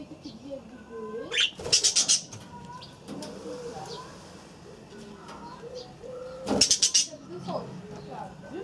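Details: Aviary budgerigars giving two rapid bursts of high, pulsed chirping, each made of about four quick notes, with a softer single chirp before the first burst and low wavering sounds in the background.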